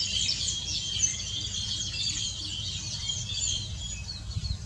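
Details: Green bee-eaters recorded on 31 July 2019 keep up a dense chatter of high, trilled chirps that overlap without pause, like several birds calling together, over a low background rumble.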